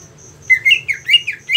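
A greater green leafbird gives a rapid run of five bright, slurred chirps about every fifth of a second over a thin, high, steady whistle and faint low hum.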